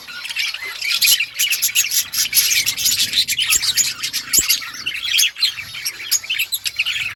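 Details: Budgies in an outdoor colony produce a thick chorus of rapid, scratchy chirps and high tweets, many birds calling over one another almost without interruption.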